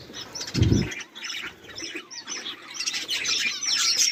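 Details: Budgerigar chatter with scattered squeaky chirps and warbles, a short low thump near the start, then the chattering builds toward the end.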